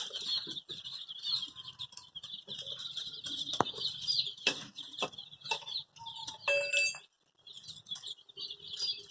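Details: Baby chickens calling for their mother with a dense chorus of shrill peeping, broken by clattering taps and scuffling, plus one louder, longer cheep near the middle.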